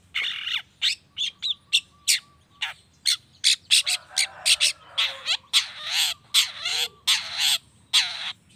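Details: Cendet (long-tailed shrike) recorded as a provocation to get other shrikes singing: steady, rhythmic run of rasping chattered notes mixed with whistles and a few lower sustained tones.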